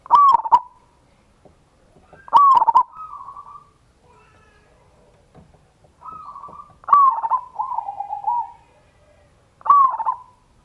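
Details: Local zebra dove with a big voice singing a ngayer kerot nutut lure song to rouse other doves: loud clicking coos with rolling, warbled tails, spaced by quieter flat whistles and short gaps.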